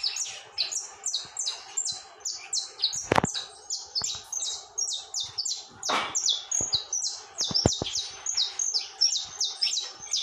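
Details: Saffron finch in unbroken tormento song: evenly spaced high chips repeated in quick rhythmic groups, with a few loud knocks and thumps from handling or movement.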